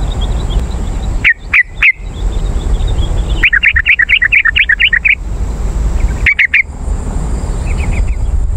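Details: Yellow-vented bulbul calling, used as a lure for wild birds. Two short doubled notes, then a long rapid run of bubbly chattering lasting nearly two seconds, a brief trio of notes, and faint far chirps over constant hiss.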